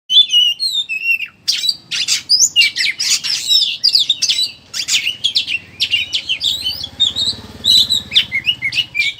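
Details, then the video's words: Oriental magpie-robin, kacer, chattering ngeriwik lure song used to prompt other birds to sing: dense run of rapid whistled notes and harsh buzzy chatters, with varied sweeping phrases and short pauses, faint low hum underneath. "Suara Burung Pancingan Kacer Ngeriwik Agar Ngeplong Buka Paruh"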